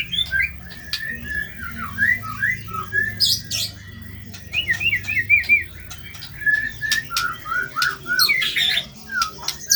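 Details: White-rumped shama song used as 'masteran' training material with rough-style phrases: short slurred whistled notes in rapid repeated series, broken by sharp clicks and a few harsh, scratchy bursts, over a low steady background hum.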